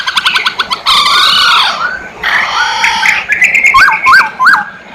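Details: Masked laughingthrush, poksay hongkong, calling actively: rapid clicks, a long harsh nasal squawk, a grating burst, then three looping whistled notes repeated in a row.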